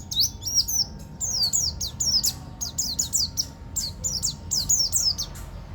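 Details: Banten local buktoni Swinhoe's white-eye delivering a rolling 'ngeroll tembak' song, a rapid nonstop stream of very high, thin chirps and zipping upslurred notes in clustered bursts.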